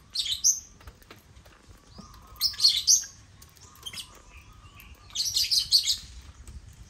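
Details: Lovebirds (Agapornis) at a millet crane on a toy construction site give three clusters of harsh, high-pitched chattering chirps, separated by quiet gaps, with a low background hum.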